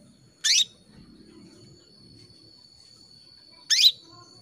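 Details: Female canary calling to attract a male: two loud, short, high chirps sweeping downward, about three seconds apart, over a steady thin high tone and quiet background.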